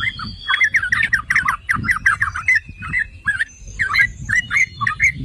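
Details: Yellow-vented bulbul singing as a provocation track for other bulbuls, a lively run of quick liquid, slurred notes, some thin whistles running above and soft low background noise beneath.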